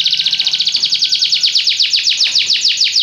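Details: Belgian canary delivering a steady, rapid trill of high, downward-sweeping whistled notes, about seven per second, with a faint low hum underneath.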